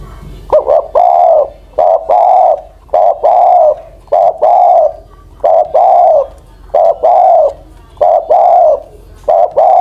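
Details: Spotted dove over ten years old, used as a ground decoy, coos in a steady series of short-then-long phrases, about eight phrases in ten seconds, loud and clean.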